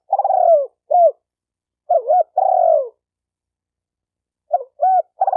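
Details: Spotted dove cooing, used to train a newly caught bird: long, falling, burred coos alternate with short, curved hoots. It comes in two phrases with a quiet gap of over a second, and no other sounds.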